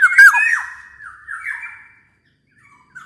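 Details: Black-naped oriole song used as a prompt for other orioles: a loud, rasping burst, then sliding fluty whistles fading into silence, and a brief soft note at the end.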